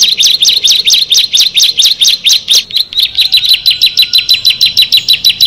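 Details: One of six bar-winged prinias sings crisp, sharply slurred high notes at a regular pace of about three per second, sustained without pause throughout.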